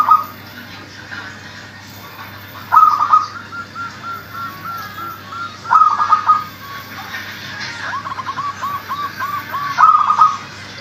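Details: Local zebra dove calling, used to prompt other doves that are reluctant to call: a sharp opening note followed by a string of soft, rapid cooing pulses, repeated about every three seconds over steady background hiss.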